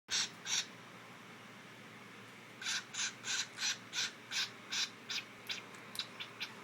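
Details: A pet cockatiel gives a series of harsh, raspy squawks in quick bursts, which its owner says swing quickly from angry to happy.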